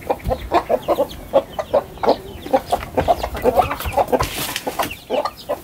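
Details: Chickens, large and small, rushing out of their coop into a garden in the morning, a dense flock chorus of short clucks and clipped calls overlapping every fraction of a second.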